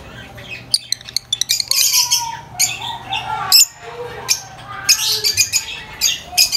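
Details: Noisy, very vocal lovebirds chattering in high-pitched chirps and squawks, dense and irregular, with short whistled notes between bursts.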